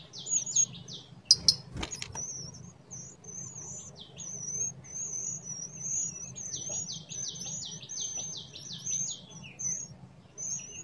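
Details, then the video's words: High, thin, slurred notes from a blood-breasted flowerpecker in the wild in the mountains. Rapid strings of clipped descending ticks follow. A few loud knocks sound near the start over a faint low background drone. "kehidupan tledekan gunung di alam liar"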